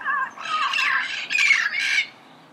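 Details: Red-crowned amazon, recorded early morning in Pasadena, giving loud, raspy, broadband squawks in three or four bursts with a few shrill tonal inflections.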